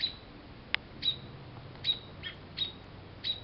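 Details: Alarmed American robins mobbing a cat investigating their nest, blown from a maple tree by a June 2012 storm in South Western Ontario; sharp, short high chirps repeat roughly every half second, with a single click.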